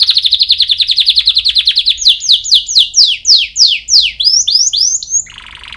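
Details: A canary sings for chick training: a steady fast trill of high notes for two seconds, followed by loud downward-sweeping whistles repeated about three per second, ending in a brief low buzzy roll.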